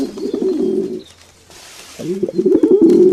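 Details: Pigeons cooing in a relaxation recording: low throaty warbling coos in two bursts separated by a short quiet gap, with a faint hiss between them.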